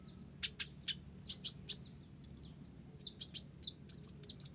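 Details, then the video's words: Sunbird song, konin blorok, holding gelatik-style fill: scattered thin high notes building into dense twittering chips and a brief buzzy warble midway, then an even row of bright pips. "Konin Blorok Gacor isian Gelatik"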